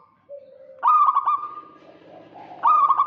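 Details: Local zebra dove from Indonesia calling to draw out a rival, with males and females replying: a low soft coo, then a loud stuttering burst trailing into a rolling trill, another loud burst at the end.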